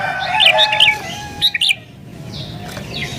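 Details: Agitated sooty-headed bulbul, meant to call in wild bulbuls, giving quick chirpy notes in the first half, then two short clipped chirps and faint trailing whistles, with a steady low hum behind.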